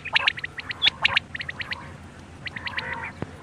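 Quail calling in quick clusters of short, sharp, high notes, grouped in twos and threes with brief pauses between bursts, over a faint low background hiss.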